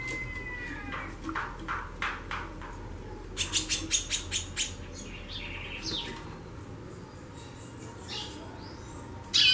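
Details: Female White-bellied seedeater chattering a lot: bursts of short, harsh broadband chips, a quick run of about six loud notes in the middle, then scattered buzzy notes and a steady low hum underneath.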